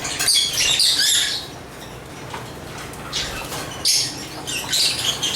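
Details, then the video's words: Lovebirds chatter in two loud high-pitched bursts at the start and end, with softer scattered chirps in between. "African Love birds Agapornis chirps singing sounds"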